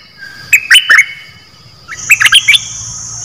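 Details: A caged decoy bulbul, one of three, sings two short phrases of quick, liquid whistled notes about a second and a half apart over a faint low hum.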